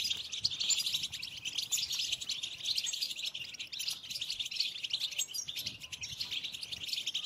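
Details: Chorus of European goldfinches in mating song meant to stir late birds into breeding: an unbroken stream of quick, bright, high twitters and liquid trills, busy and continuous throughout.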